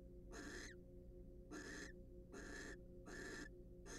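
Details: Wild barn owls in a monitored nest box, preening each other during courtship, give harsh raspy hissing screeches, about five short bursts in four seconds, each roughly a third of a second, over a steady low electrical hum.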